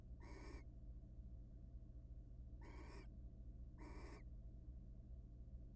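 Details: Wild barn owl at a monitored nest box, mating often before egg laying; three short harsh screechy bursts, each about a third of a second, over a steady low hum.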